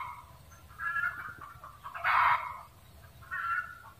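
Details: Cackling junglefowl gives a run of grating, clucking squawks, the loudest burst in the middle, followed by a shorter, quieter squawk, over faint low background noise.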